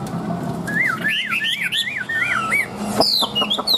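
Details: Tame caged Chinese hwamei singing a loud run of clear whistled phrases, each a wavering up-and-down loop repeated several times in a row, then sharper high notes near the end; faint background chatter.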